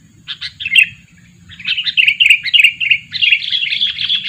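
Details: Sooty-headed bulbul, a two-year-old lure bird used for trapping wild birds, giving bright chirpy notes: a short burst, a pause, then a long run of rapid warbling phrases around mid-high pitch, with faint low background rumble.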